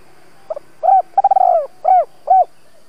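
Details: Spotted dove kept as a decoy, giving the thúc gù calling style meant to provoke wild doves: a soft stuttered lead-in, then a long trembling coo and two clipped rounded hoots, low-pitched and evenly spaced.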